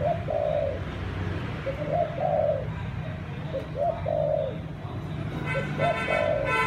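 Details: A dove of the Malai line gives the thúc gù cooing style: four paired coos, each a brief lead note and a drawn-out purring coo, about every two seconds, with faint chirps near the end.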